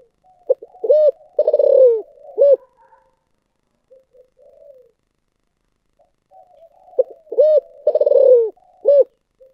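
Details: Spotted dove, 'giọng thổ sấm' style, repeating its phrase twice: pips, a ringing coo, a long rolling downslurred coo and a short final coo, with faint murmuring between the phrases.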